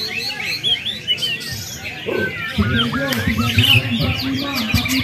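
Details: A Bornean white-rumped shama, tried out between competition rounds, pours out rapid, varied high whistles and chirps over a busy background, with a man's voice talking from midway.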